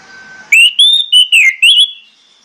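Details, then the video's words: Orange-headed thrush singing in the morning, meant to excite the bird into song: a faint steady tone gives way to five loud, clear whistled notes, some slurring downward, in a phrase of about 1.5 seconds. "SUITAN PAGI ANIS MERAH"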